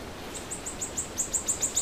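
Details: Small bird singing in the morning: a fast run of very high, thin chirps repeated about six times a second, each note a brief downward flick, over a soft background hiss.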